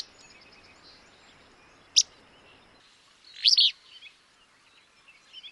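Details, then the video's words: Willow flycatcher in Wisconsin: one sharp, clipped call note, then about a second and a half later a burry two-part buzzy phrase, with faint background hiss. "Wisconsin Bird Sounds - Willow Flycatcher"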